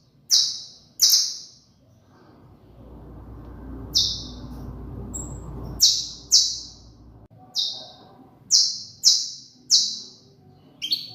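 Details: Repeated high, sharp downslurred notes from a saffron finch, a pair at the start, then a burst of low rumbling noise, then a run of evenly spaced chips.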